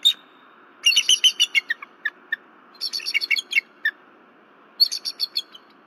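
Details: A female bald eagle awakened at 10:10 pm at her Berry College nest on 15 February 2023 calls in three bursts of high, clipped chittering notes, each burst fading toward its end.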